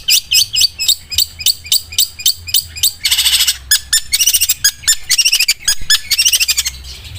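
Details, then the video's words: Sewing-machine-like song of a long-tailed shrike, rapid high chattering notes alternating with dense grating bursts and quick trills, almost continuous, with a low hum in the background. "CENDET SUARA MESIN JAHIT"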